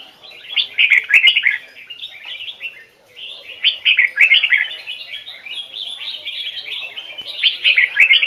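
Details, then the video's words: Red-whiskered bulbul from a training series, standard double-note Hoài Sơn forest style: repeated bright, liquid whistled phrases in quick succession, several loud bursts spread evenly across the song. "Chào mào hót giọng chuẩn, âm kép rừng Hoài Sơn"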